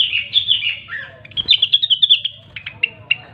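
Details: Grey-cheeked bulbul, known locally as rengganis or cucak wilis, in vigorous gacor singing: continuous quick warbled notes, a dense trill-like run of rapid pulses mid-phrase, ending with several separate sharp chips.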